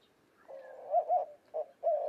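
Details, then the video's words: White-winged dove from western North America cooing: a low, hoarse coo phrase that opens softly, rises into two accented notes, pauses, gives one short note, then ends on a long drawn-out coo. "White-winged Dove Cooing Bird Sound"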